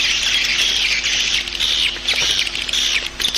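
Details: Lure call for attracting swiftlets: thick, high-pitched twittering chatter in waves, swelling and easing roughly every second, with many birds seemingly chirping at once and a faint low hum beneath.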